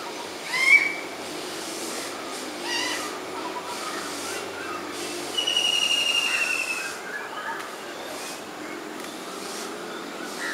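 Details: A Black-rumped Flameback woodpecker in Sri Lanka gives one sharp high note, then a fast, high rattling trill lasting over a second, against a steady background hiss.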